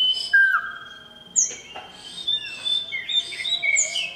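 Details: Male oriental magpie-robin calling a female: a downward slurred whistle, then sharp high notes, rising and falling whistles and chirps over a thin constant high tone.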